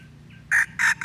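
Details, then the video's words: Lure call of red junglefowl from Aceh, meant to draw birds in: two short, loud, raspy crowing bursts in quick succession, with the start of a third, above a quiet low hum. "Pikat ayam hutan aceh"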